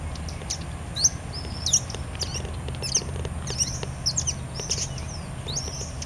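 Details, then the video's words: Buffy hummingbird (Leucippus fallax) at Puerto La Cruz on 23 March 2016 gives thin, very high, squeaky, slurred chips about once a second, over a steady high whine and a low rumbling background. "Colibri Anteado - Canto"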